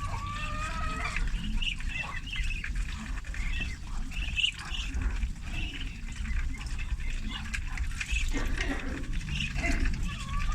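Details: Thirty farm-raised ducklings at feeding time, giving thin, high peeps that overlap in bursts throughout, over a constant low rumbling background noise.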